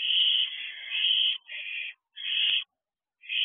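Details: Owlet of the barn owl in a nest box just after midnight: long, rasping, hiss-like screeches in a near-continuous run, broken by short pauses, the last after a brief silence.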